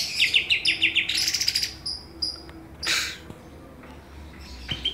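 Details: Song fill of greater green leafbirds, a Banyuwangi bird against a Kalimantan bird: a quick series of sharp chevron-shaped chirps, then dense high twittering and scattered clicks over a faint background hum.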